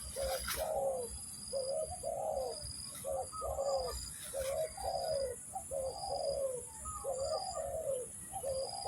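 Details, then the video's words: Spotted dove calling for trapping bait: repeated paired coos, a quick note then a longer downslurred one, with a couple of faint clicks and a steady high whine behind. "mikat burung tekukur, mikat burung derkuku."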